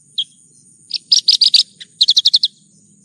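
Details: Branjangan (bush lark) song in a nonstop tutor recording: a lone high chirp, then bursts of buzzy, dense high notes followed by a rapid run of five or six sharp chirps, over a faint steady whine.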